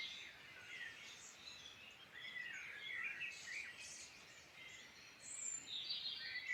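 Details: Birds in song across the Irish Midlands: bursts of lively warbling and chirping from several voices, some phrases swelling louder, with high thin whistles near the end.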